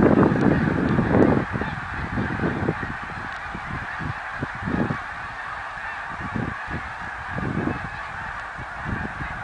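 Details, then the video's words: Snow geese recorded in 2014, a large flock calling together: a dense, continuous chorus of overlapping honks and yelps that never pauses. Louder low-pitched bursts in the first second and a half give way to a steady, busy din. "Snow Geese song & dance 2014"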